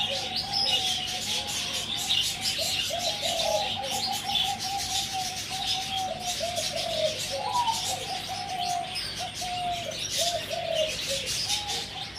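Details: Zebra dove, four months old, calling near Sanam Luang on 2/11/2568: long series of gentle purring coos with wavering, stuttered notes, repeated almost continuously over a steady background hiss.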